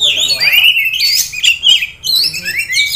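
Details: Caged Oriental magpie-robin, a Kisaran contest prospect, sings strong rising and falling whistles and scratchy notes in two phrases separated by a short lull.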